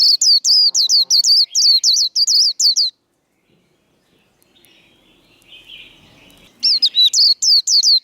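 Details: A white-eye's 'líu' contest song for firing up rivals: rapid high whistled notes for three seconds, a quiet gap with a faint rasping sound, then the brisk chain of looping whistles resumes.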